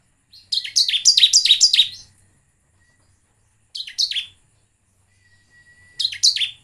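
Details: Repeated downslurred chirps of a bar-winged prinia, used as a lure to get birds singing: one run of about seven quick notes, then two short bursts after long silences, with a faint steady tone.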